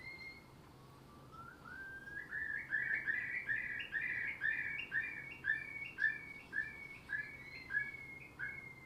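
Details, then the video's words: Eurasian curlew main song, the familiar bubbling call: slow rising whistles build into a fast, bubbling run of liquid trills, about two notes per second, with no other sounds. "competition which we're going to be running. And we're going to be concentrating on the main song of the curlew which you will know."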